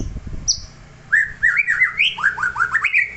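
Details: Neighbour's white-rumped shama: one high thin whistle, a short gap, then a lively stream of loud slurred whistles, each note swooping upward and repeated rapidly, with some low knocking early on.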